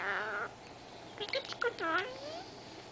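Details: Talkative three-year-old female Senegal parrot, kept as a pet indoors, gives a burst of voice-like mimicry: an opening harmonic note, then clipped syllables and a falling, nasal, word-like sweep.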